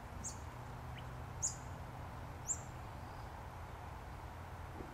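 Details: Red-browed finch (Neochmia temporalis) along a track in Royal National Park near Engadine, Australia, giving very high, thin, piercing 'seee' notes about once a second over a low steady rumble of background noise.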